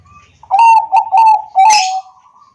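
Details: Perkutut bangkok zebra dove, recorded with an Android phone in Wiradesa, Pekalongan, Central Java, to stimulate other doves to sing: four bright knocking notes on a sustained coo, ending with a harsh rustling burst.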